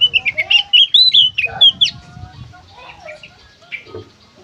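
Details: Kacer, the Oriental magpie-robin, singing in the energetic 'gacor konslet' style: a burst of quick whistled slurs and sharp twitters over two seconds, then softer scattered notes, with faint low rumble beneath.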